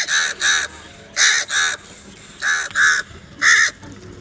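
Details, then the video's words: Loud, raspy crow caws in pairs and singles, about seven in four seconds, from crows fighting over food. "Crow Fight Video | crow love food | crow fighting scenes video | crow sounds naturally"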